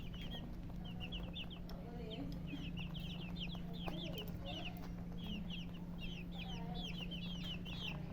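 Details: Colored chickens with a hen: a dense chorus of high, down-slurred chirps from several birds overlapping continuously, over a steady low electrical hum.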